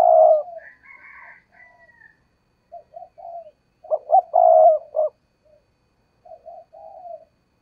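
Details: A loud coo opens, then soft broken coos and one full phrase of two short notes and a long, level coo from a spotted dove used as a decoy, with faint higher calls behind early on.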